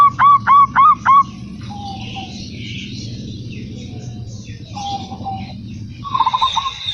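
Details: Local zebra dove (perkutut) singing: four quick hooked cooing notes open the recording, followed by faint soft trills and low background noise.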